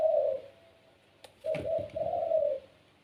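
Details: Pelung-type Barbary dove kept as a pet. A single fading coo is followed by clicking and tapping, then a fuller three-part rolling coo.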